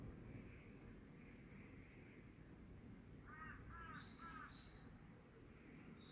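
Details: Around 5:10 PM on 18 August 2022, a crow gives three quick rasping caws, overlapped by thin, high notes from another small bird against constant low-pitched background noise.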